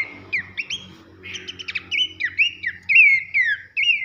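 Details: Loud whistling nyiul song of Horsfield's babbler, a training recording for competition birds: sharp upward and downward whistled slurs mixed with quick trilled bursts, closely spaced, over a low background drone.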